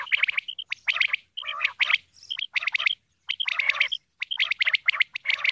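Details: Common quail, female, calling: rapid bursts of short buzzy notes in clusters, broken by brief pauses, with a few clear whistled notes between groups.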